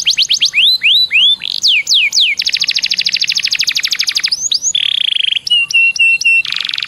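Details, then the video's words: Canary lure song to prompt other canaries to sing: curving swept whistles, a long rapid trill, a buzzy steady note, a row of short flat piping notes and a final harsh burst. "PANCINGAN KENARI BIAR CEPAT GACOR"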